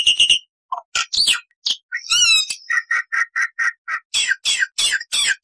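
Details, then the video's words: Black-winged starling singing a varied, loud song: harsh chatters, a buzzy rasping trill, then a run of about ten evenly spaced two-note chirps before harsh broad calls, no other sounds. "MASTERAN JALAK PUTIH GACOR FULL ISIAN"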